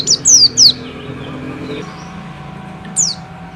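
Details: Bustomi white-eye giving three sharp, high, descending whistled notes in quick succession, then silence apart from low hum, and a single further falling whistle about two seconds later.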